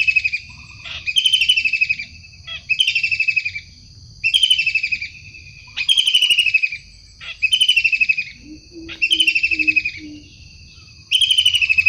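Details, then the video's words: Long-tailed shrike in the wild giving loud grating calls, each a buzzy, slightly descending burst of about one second, repeated steadily with short pauses and a few soft low notes in the background. "Tengkek udang gacor asli alam liar"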